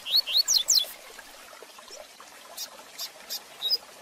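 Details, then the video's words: Fast 'tui tui zel zel de fibra' song of a rusty-collared seedeater, a training recording for young birds: a quick run of high, slurred down-swept whistles at the start, then softer scattered ticks over a hissing background. "Tui Tui Zel Zel de Fibra Canato Rápido Para Treinamento e Encarte - Coleiro"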